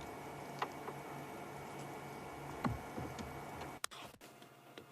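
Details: Quiet electrical hum at sunset with scattered ticks, soft thumps and a pair of sharp cutouts, without any animal voices.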